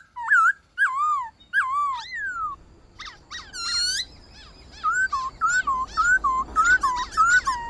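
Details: White-cheeked laughingthrush singing in the 'wild voice' style, used to stir captive birds into song: rich whistled notes that swoop down and wobble, given in separate phrases, then a quicker run of short looping whistles.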